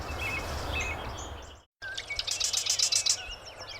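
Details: Male marsh wren at Somenos Marsh, Vancouver Island, British Columbia, giving his territorial song: a loud, buzzy, chattering burst of about eight rapid high notes, like a sewing machine, after faint chirps and steady background noise.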